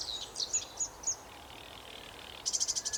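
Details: Sedge Warbler song in warbler habitat, described as scratchy and manic: spaced high chirps and whistled notes, a quieter gap, then a fast rattle of about six grating pulses at the end.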